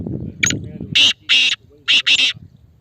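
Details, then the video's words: Black francolin male calling up close: a short thin note, then four loud, harsh, buzzy grating bursts in two pairs, with clean silence between them and faint low noise. "Kala Teetar Bolna Shuru | نہ بولنے والا تیتر بھی بولے گا"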